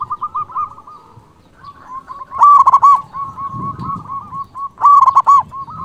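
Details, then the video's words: Zebra dove, a local bird in full song, calling rivals; soft rolling trills give way to two loud, distorted coo phrases about two and a half seconds apart, with faint background rustle. "Perkutut lokal gacor Suara BESAR ampuh memanggil lawan BUNYI EMOSI manggung"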